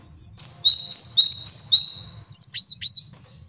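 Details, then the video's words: A rapid chain of high downslurred whistles from a male cinereous tit, used as a master song for training and trapping, ends in three separate looping notes. "MASTERAN GELATIK BATU JANTAN BAGUS BUAT MIKAT DAN MASTERAN BURUNG JAWARA"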